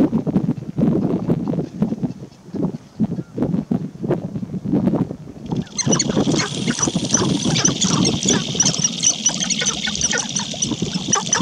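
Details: Male sharp-tailed grouse dancing at a lek to impress females walking through give low, rapid clucks and coos in quick irregular bursts; a steady high hiss joins halfway through.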